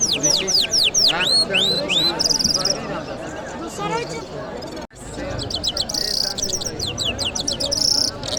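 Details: Lark singing on a Friday morning in Kabul city: a quick run of bright descending whistles, then a buzzy burst, a quieter stretch dominated by background voices, and renewed high trills and whistles.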